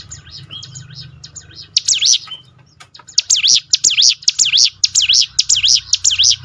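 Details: Bar-winged prinia training song: soft chirps at first, then a strong steady series of buzzy rising-and-falling notes, about two each second, over a low background hum.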